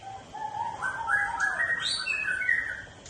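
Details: White-rumped shama delivering one flowing whistled phrase that climbs steadily from low mellow notes to higher bright ones, then settles, all in about three seconds.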